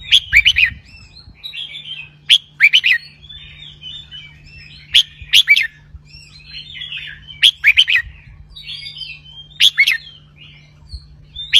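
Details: Cage-kept red-whiskered bulbul giving the double-hundred song: lively bursts of sharp, bubbly whistles about every two and a half seconds, quieter chattering notes between them, and a faint low hum and some handling rumble at the start.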